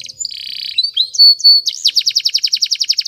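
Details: Singing canary for training: a buzzy roll, two clear high whistles, then a steady train of quick down-swept chirps repeated about four times a second.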